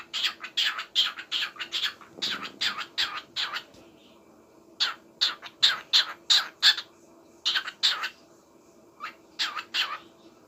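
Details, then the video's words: Small parrot singing, a series of short, harsh, buzzy notes delivered in quick bursts of several at a time, separated by brief pauses, with a faint steady hum in the background. "Little parrot is singing for me!!"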